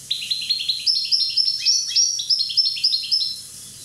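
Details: Corsican European goldfinch, one year old, singing a fast, continuous run of bright, tinkling twitters and chirps, many notes each second, rising and falling in pitch, over a faint low hum.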